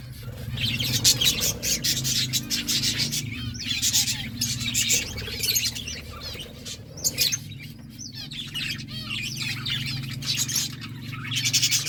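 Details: Eating fruit, a parakeet keeps up dense, rapid high chirping and twittering in long runs with brief pauses, over a constant low droning hum.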